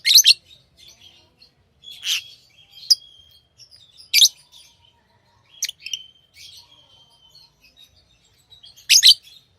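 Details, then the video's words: Tame lovebirds chirping, loud piercing chirps about every two seconds interspersed with thin whistled notes and soft twittering. "Love birds Sounds | lovebirds chirping sounds"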